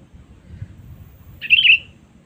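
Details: After a moment of low rumbling noise, a sooty-headed bulbul gives one clear, wavering warbled call, part of a lure recording meant to attract rivals.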